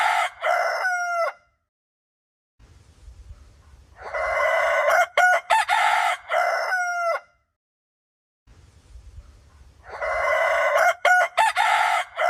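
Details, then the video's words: Rooster crowing melodiously: a loud, harsh, multi-part crow ends, then two more full crows follow about six seconds apart, each rising then breaking into stuttered notes, with low rumbling noise in the gaps. "ROOSTER CROWING || SUARA AYAM BERKOKOK MERDU"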